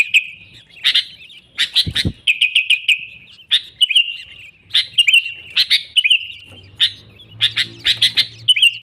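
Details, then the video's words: Sooty-headed bulbul song used to lure wild bulbuls into traps: brisk repeated chirps and short bubbly slurred phrases, steady and lively throughout, with a brief low thump. "Suara Burung Kutilang Gacor ASLI Tanpa isian, Ampuh untuk Pikat Kutilang bikin kutilang Ribut gacor"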